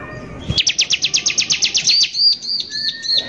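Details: Loud, rapid, rough-sounding trill from a bar-winged prinia, a recording used to provoke other prinias, running into a string of slurred, arching whistled notes and a faint lower whistle.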